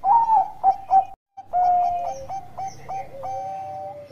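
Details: Bangkok zebra dove song, played to provoke other doves to sing; loud rounded coos, a brief break, then a long coo and a fast stuttered series closing on a held, lower note.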